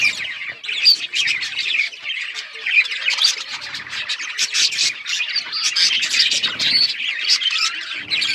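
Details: A chorus of singing budgerigars: nonstop high chattering, sharp clicks and short whistled notes overlapping throughout.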